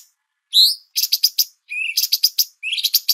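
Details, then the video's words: Bulbul (cucak cungkok) on a songbird training master recording: a slurred whistled note, then quick runs of sharp chips, a rising whistle and more chip series, all high-pitched with brief gaps. "MASTER CUCAK CUNGKOK Jeda Terapi Air"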